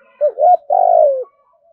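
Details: Calling spotted dove, in the 'gáy gọi bổi' style meant to lure wild doves, gives one full phrase: two short rising hoots, then a long, smooth, droning coo that slides gently downward. The background is quiet.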